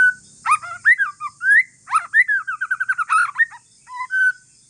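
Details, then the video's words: Calm song of an Aceh forest-strain white-rumped shama, aimed at making other shamas join in: loud sharp sweeping notes, slurred whistles and a rapid trill of short notes, ending in steady whistled tones, with high background hiss. "Kicauan santai murai trah hutan aceh BUAT MURAI LAIN NYAUT"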